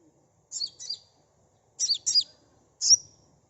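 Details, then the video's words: Sunbird song used as a lure to get young birds in training to respond quickly and sing freely: three bursts of very high, sharp twittering chirps, the first two doubled, with short silent gaps between them. "Suara asli kolibri pancing bahan cepat respon ngeplong"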